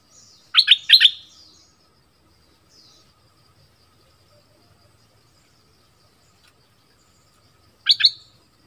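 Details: Orange-headed thrush song in the southern style, played to attract wild birds and train young birds: a short pair of sharp whistled notes, then a long silence before another brief double note.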